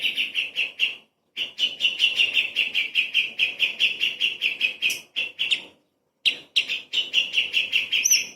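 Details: Light-vented bulbul singing a tutor recording for training murai and kacer songbirds: loud, sharp chips repeated rapidly in long runs, about two and a half per second, broken by two short silences, with faint higher notes near the end.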